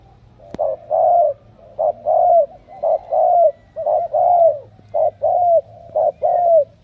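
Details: Kept spotted dove chosen as a strong cooer delivers steady rounded coos, short clipped notes alternating with longer drawn-out ones that bend downward, a sharp click near the start and a low steady hum underneath.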